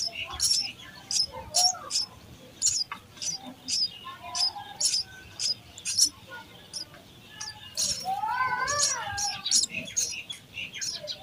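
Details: Sparrow babies being fed chirp in a steady stream of thin, bright notes; a wavering, rising-and-falling twitter appears near the end.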